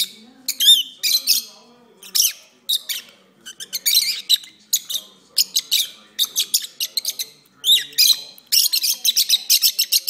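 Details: Pet lovebirds singing at length: a dense, continuous stream of shrill high squeaks, chirps and chattering twitters in rapid bursts, with a few short pauses.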